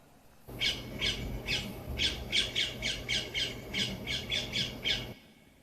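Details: A parakeet at Wollaton Park, Nottingham, gives a rapid series of harsh, high squawks, about a dozen roughly every third of a second, over a low background rumble.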